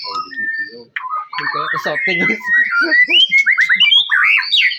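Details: White-rumped shama song aimed at rousing other shamas: a few short whistles, then busy mixed chatter leading into a series of bright, quickly repeated whistled loops.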